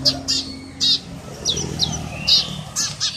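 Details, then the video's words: Eurasian tree sparrow chirping: short, sharp, high notes in quick, irregular bursts of one or two, with a low hum and faint voices underneath. "Burung Gereja nyecet"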